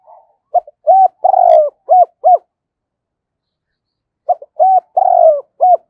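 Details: Spotted dove kept as a lure bird to call in wild doves, singing two cooing phrases separated by a pause of nearly two seconds, each with stuttered short notes, a long falling coo and closing coos, loud and clear against silence.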